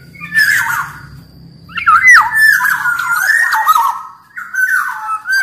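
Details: Black-naped oriole of the big-bodied Sumbawa kind in song: a low buzzy opening, then a sustained string of mellow whistled notes wavering up and down with scratchy overtones, ending in another whistled phrase.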